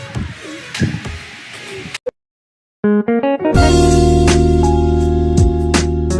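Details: Noisy rustling gives way to a brief silence, then loud strummed guitar and bass music begins, with no animal sounds.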